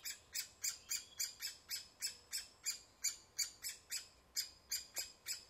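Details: Rapid, harsh, buzzy notes from a woodpecker at its nest, repeated about three times a second in an even, insistent series.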